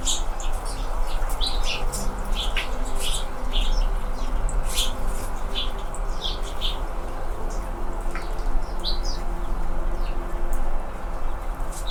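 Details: Anna's hummingbirds, red-throated, in California in fall: many short, high, sharp chirps and ticks in quick irregular bursts over a steady low hum.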